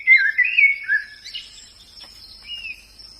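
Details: White-eye in the wild singing a short burst of warbled, twittering phrases that rise and fall, then a brief sweet rising phrase after a pause; a steady high insect-like whine runs throughout.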